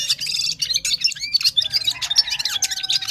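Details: Gulsar from Parachinar singing at full power: a dense, rapid jumble of high chirps, twittering notes and short whistled slurs, almost without pause, over a faint low hum.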